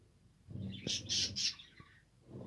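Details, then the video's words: Budgerigars (Australian parrots), recorded December 2, 2022: three loud, sharp, high chirps in quick succession, with softer twittering and a few clicks around them. "Australian parrot beautiful birds"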